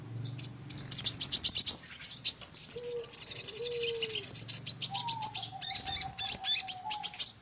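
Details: Sogon (crimson sunbird) calls used as a trapping lure: dense high twittering chirps over a faint low hum, then short gliding whistles and a long level whistled tone toward the end.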